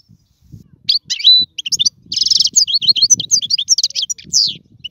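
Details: Song of a European goldfinch, chosen for teaching chicks to sing: a dense, fast medley of high twitters, a brief buzzy rattle and whistled slurs running almost without a break, with a faint low hum beneath.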